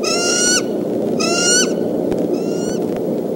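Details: Bald eagle pair at their Decorah nest in mid-April, sounding the alarm at an intruding fox squirrel; three bursts of high, harmonic-rich piping chatter, each about half a second, over steady low wind rumble.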